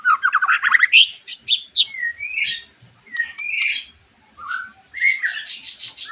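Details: Song of a white-rumped shama meant to provoke a bird fresh from moult into answering; opens with a fast rising trill, then loud whistled slurs and high sharp notes separated by short gaps.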